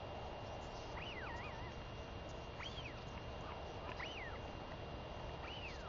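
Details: Female royal albatross chick begging her mother for food on 23 May 2021 after the parent's seven-day absence; looping arched whistles, some with wavering tails, repeated roughly every second amid steady hiss.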